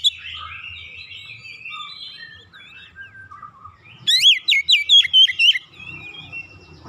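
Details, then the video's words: Home-kept Oriental magpie-robin, singing excitedly right after hearing another bird and pouring out its learned repertoire: a jumble of high chirps and warbles, then a loud run of sharp rising and falling whistled notes near the end, with faint low background hum. "KACER RUMAHAN MENDENGAR LANGSUNG NGOYAK BONGKAR ISIAN"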